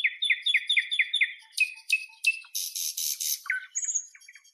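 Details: Nightingale singing: a quick run of six repeated chirping notes, then sharp whip-like upward sweeps, a harsh buzzy rattle and a high drawn-out whistle, with varied phrases following in quick succession and no other sounds.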